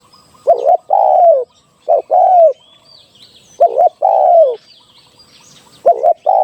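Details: Spotted dove call used as a decoy for trapping: a short doubled note followed by a longer, slightly falling coo, repeated in pairs about every 1.5 seconds. Faint high chirps from other birds are heard in the background.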